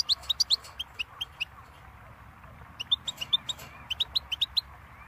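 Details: Goldfinch twittering: rapid high chirps in two bursts separated by a silent gap of about a second and a half, the notes bright and slightly varied in pitch.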